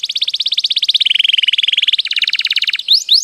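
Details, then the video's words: Canary giving a long rolling trill for a training master, a fast pulsing roll that steps down in pitch and back up, ending in two quick rising slurs. "mastersn burung kenari gacorr ngroll panjang"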